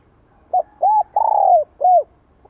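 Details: Spotted dove calling to stimulate newly caught birds, '2 hậu lỡ' style. A clipped note and an arched note precede a long falling coo, then one more arched note ends the phrase. Little else is heard.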